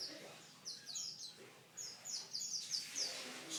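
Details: Canary singing in short bursts of bright, high chirped notes that sweep downward, quickly repeated in loose clusters, with quieter pauses between phrases.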